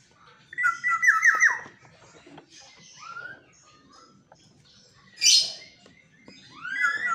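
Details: Pet black-naped oriole in a cage, singing at dawn, opens with a fluted rolling whistle, adds scattered softer notes, then one harsh nasal burst and finally a rising clear whistle, in a quiet room.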